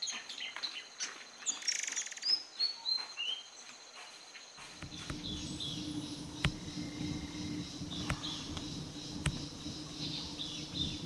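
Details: Malaysian pied fantail at Fraser's Hill, Malaysia, a lowland bird turning up there in warmer-than-usual weather, gives quick, squeaky high chirps and short whistled notes for about four seconds, then steady insect hum and background rumble.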